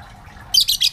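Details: Lovebirds kept as a colony that began with one pair; a sudden run of three harsh, high, buzzy squawks in quick succession after a quiet start with a low hum.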